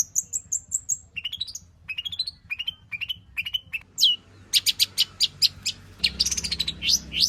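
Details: Long-tailed shrike showing off its mimicry-filled repertoire as a singing lure: high whistled notes, then short rising slurs, a downward sweep and a burst of rapid high chips and twittering.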